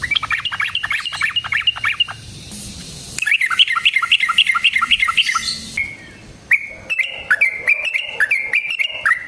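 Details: Sooty-headed bulbul in energetic fighting song with long rolling trills, used as a lure to provoke other bulbuls to sing. Bursts of rapid, chattering notes repeat quickly, with a short pause before another rolling series resumes.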